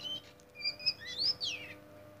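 An Oriental magpie-robin sings a quick run of varied, clear whistles, high and sweeping, ending in a falling slur, over a faint steady low hum.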